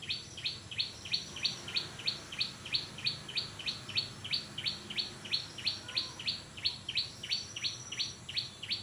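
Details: Brinjak, the orange-spotted bulbul, in full voice with a long unbroken run of crisp, high, identical chips, roughly three per second, evenly paced against steady low background hiss and hum.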